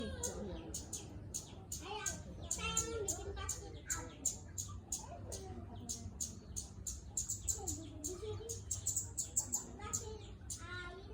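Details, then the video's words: Scarlet-headed flowerpecker singing vigorously: rapid sharp, very high ticking notes repeated in quick bursts throughout, with softer lower chirps and faint talking underneath. "Burung talokan gacor"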